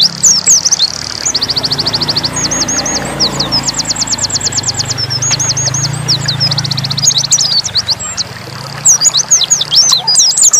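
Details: Oriental white-eye (pleci dakun) in nembak song: long bursts of rapid, evenly spaced high trill notes mixed with slurred whistles, over a steady low hum in the background.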